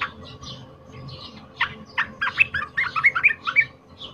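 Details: Loud, emotional fighter song of a wild-caught cream-vented bulbul, used to tutor other songbirds: soft scattered notes at first, then a dense, rapid burst of bright chirping notes in the second half, with a constant background hum.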